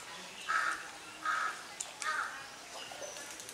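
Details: A domestic swan goose drying its body gives three short, harsh, nasal honks, about one every 0.8 seconds, over a soft outdoor hiss.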